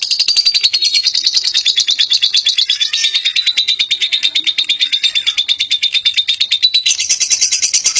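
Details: Long ngekek chattering from a lovebird, fast high-pitched trilled notes pouring out nonstop at roughly three per second, shifting slightly higher near the end; no background sounds.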